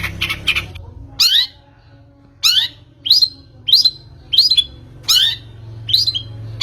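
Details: Long-tailed shrike lure recording meant to get a bird singing: a series of harsh, rasping, downward-sweeping notes about once a second, separated by short pauses, over a faint low hum.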